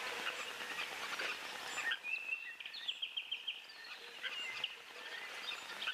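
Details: Helmeted guineafowl (bush chickens) calling nearby at a waterhole on 21 January 2023: a run of harsh, rapid, repeated notes in the background after steady broadband outdoor noise.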